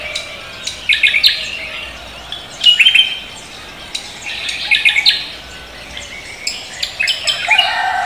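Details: Cucak kombo singing energetically in the morning: bright, chirpy twittering phrases in short bursts roughly every two seconds, with other birds twittering alongside.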